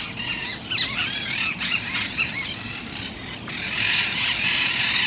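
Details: Chattering Monk parakeets: squealing, curved notes clustered in the first seconds, then blending into a dense, noisy wash of overlapping calls.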